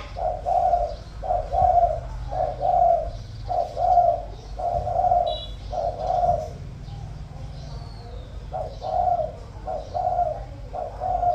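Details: Spotted dove kept caged as a decoy, known for a good coo in the 'giọng thổ' style: a long run of evenly spaced, deep, mellow coo notes, roughly one per second, fairly clean background.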